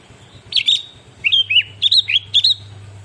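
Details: Varied song of a sooty-headed bulbul (kutilang) that was tutored with recorded songs: an opening double whistle, then several short slurred whistles in quick pairs, over a constant low hum.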